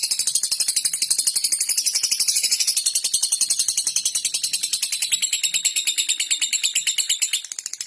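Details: A lovebird's ngekek chatter, meant to draw in rivals and make them chatter back: a steady, very rapid, high-pitched rattling trill with little variation, weakening only in the final half second.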